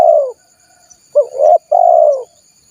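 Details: Call of a spotted dove, used as a lure for wild doves: a low mellow coo, a short pause, then a quick wavering note and a long steady coo that gently falls at the end.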